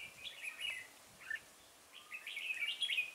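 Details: Red-whiskered bulbul used in bird trapping at Chùa Hương, Vietnam, recorded 5 March 2018: short warbled phrases of clear whistled notes, sliding and bubbling, in two bursts separated by a pause, with faint distant chirps.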